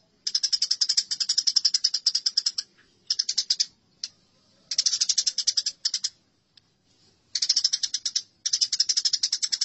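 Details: Eurasian tree sparrows fighting, a masteran recording for training songbirds: bursts of rapid, harsh, buzzy chirps in long runs lasting one to two seconds, separated by short gaps and a few isolated single notes.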